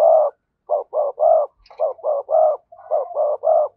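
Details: Spotted dove used as a lure for wild doves, giving a rapid run of about ten short, round, low coos in loose groups of three, close and clear.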